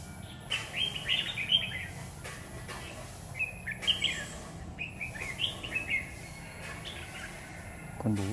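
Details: Red-whiskered bulbul at a trapping site with a lure bird, stormy afternoon, 9 September 2019: loud, lively rolling phrases of bubbly whistled notes repeated about every one to two seconds, a steady high whine and a man's voice at the end.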